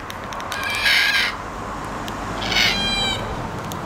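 Red-tailed black cockatoo giving two harsh, grating, rolling calls about a second and a half apart over a steady background hiss.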